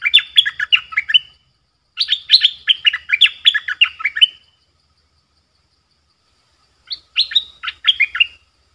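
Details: Streak-eared bulbul used as a caged lure bird to attract wild birds, which respond with 'sap dok' and 'rik' calls; three bursts of quick, bright, descending chattery notes separated by short silences.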